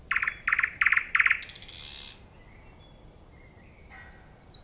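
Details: Nightingale song opening with four loud, rich repeated notes about a third of a second apart, then a harsh noisy burst, a soft thin whistle and a few high piping notes; quiet natural background.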